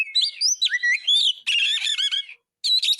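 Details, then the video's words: Oriental magpie-robin song meant to train other caged birds: bright whistled slurs rising and falling, then a burst of rich chattering trills, a short silence and another whistled phrase. "Masteran isian ful burung kacer gacor"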